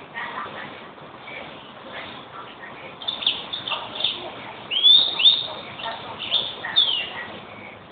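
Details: Singing European greenfinch: soft twittering at first, then louder high chirps and several quick rising slurred whistles in the second half.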